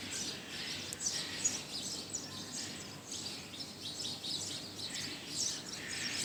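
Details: Budgerigar that arrived at a tenth-floor office near Shapla Chattar in Motijheel at midday, giving a steady stream of high, scratchy warbling and chirping throughout, over a faint low indoor rumble.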